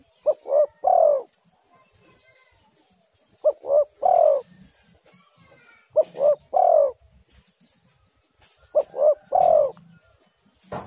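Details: Lure call of a spotted dove to get other doves calling: four repeated phrases of two brief coos and a longer falling coo, spaced about two to three seconds apart, over quiet background.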